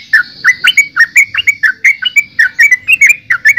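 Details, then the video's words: Trucukan, the yellow-vented bulbul, delivering a rapid chattering song of short liquid notes, roughly three or four per second, each a quick downward-then-upward slur, steady and loud throughout. "Suara Burung Trucukan"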